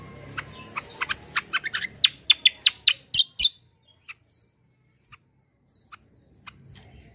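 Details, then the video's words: Javan grey-throated white-eye in 'roll tembak' song for luring and teaching birds: a fast run of bright repeated chirps speeding up, then quieter scattered notes and silence. "BURUNG KECIAL KOMBO CUCAK KOMBO ROLL TEMBAK GACOR || UNTUK PANCINGAN BUNYI BURUNG BAHAN MANTAP"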